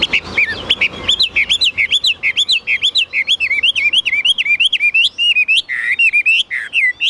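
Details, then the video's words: Caged Chinese hwamei singing high: a long, steady stream of loud whistled notes, each bending up then down, repeated several times a second for the whole stretch with hardly a break. "Họa mi dáng ngũ trường, bóng bộ cực đẹp, hót cao cầu"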